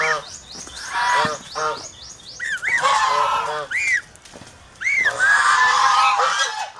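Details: Philippine farm geese in an over-protective flock, giving a rapid run of short clipped honks, then arching nasal notes and a loud broad burst of calling near the end.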